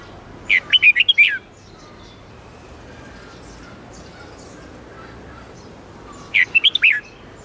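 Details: Red-whiskered bulbul singing an 8-9-10 note twisting song used daily to train other bulbuls: two loud phrases of quick warbled, up-and-down whistled notes, the second about six seconds after the first, with a quiet pause between.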